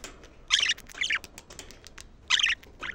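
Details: Budgerigar calls used to excite the birds and stimulate females to mate: harsh, buzzy chirps in short bursts, one near the start and another after a two-second pause, with softer fragments between.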